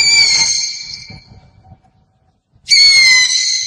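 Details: An owl gives loud, shrill, tonal screeches: one fading out over about a second, then another starting abruptly, with a low rumbling murmur underneath the first.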